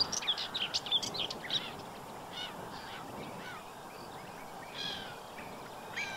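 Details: Black-winged stilt in spring, 15 April 2023, Séné Nature Reserve, Brittany, France: a quick burst of sharp, high yapping notes, then a few fainter scattered calls over a steady background hiss.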